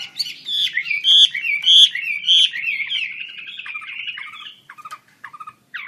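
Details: Chinese hwamei singing hard with wings open: loud, repeated, rich whistled phrases about every half second, fading into softer warbling and a few short, separate notes at the end.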